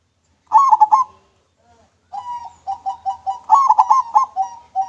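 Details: Local zebra dove, suited as a lure, singing manggung: a short burst of three rolled coos, a pause, then a longer run of about eight quick, bouncing notes ending in louder looped coos.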